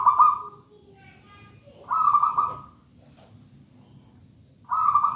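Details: Zebra dove of local wild stock, taken from a nest in a raja banana plant, sings energetically: three bright trilled coo bursts spaced roughly two to three seconds apart, with quiet low background between.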